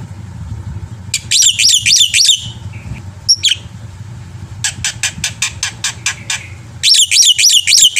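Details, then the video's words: Black-winged myna song used to encourage other birds to sing: bursts of looping high whistles, a few harsh squeaks, a regular series of sharp clicking chips, then another fast whistled run over low background hum. "suara masteran burung jalak putih gacor full isian"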